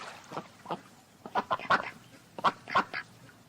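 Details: Ducks making single nasal quacks, spaced about half a second apart at first, then a tighter cluster of louder, harsher calls before fading.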